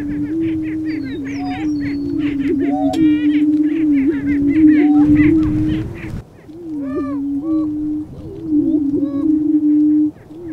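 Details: Lesser prairie chicken males confronting one another while booming to attract a hen, Flint Hills of Kansas: a loud low unbroken drone, rising hollow whoops and clucking cackles from a group, pausing briefly midway.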